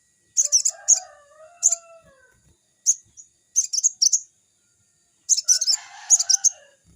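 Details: Crimson sunbird (sogon) in lively, forest-like song used to lure young birds: clusters of piercing high twittering chirps in bursts, with lower sliding whistled tones underneath at the start and near the end, and a constant thin background whine.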